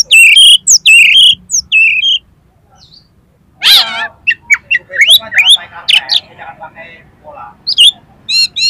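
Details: Oriental magpie-robin song meant to trigger other magpie-robins to sing and open their tails: loud whistled phrases, a pause, then a dense harsh rattling burst followed by mixed scratchy notes and clear high whistles.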